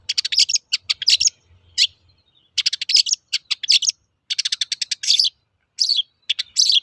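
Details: Lure song of a long-tailed shrike, used to make reluctant birds sing: dense, restless high chatter of chips, rattles and short buzzy phrases, barely pausing.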